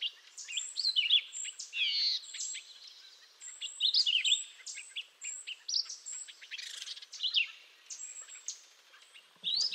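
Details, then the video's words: Canada jay, also called grey jay, from eastern North America, giving loud varied whistled and slurred notes, some rising and falling, in quick irregular bursts, with a steady high thin tone from another bird repeating throughout. "Grey Jay Call"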